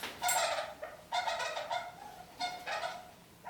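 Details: Captive kakariki hanging upside down from a ceiling, uttering three bursts of nasal, rasping chatter with rich overtones, separated by brief pauses, in a quiet room.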